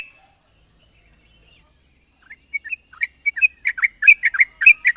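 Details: Yellow-vented bulbul song recorded in the morning as a lure for young birds: near silence at first, then rapid bubbly chirps start after two seconds and grow louder and denser toward the end.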